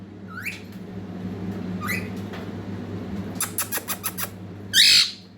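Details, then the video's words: Baby parrot trying to talk: two thin rising squeaky chirps, then a quick run of sharp clicks, ending in a short harsh squawk, in a quiet indoor setting. "Baby Parrot Bolne Ki Koshish Kar Rha Hai"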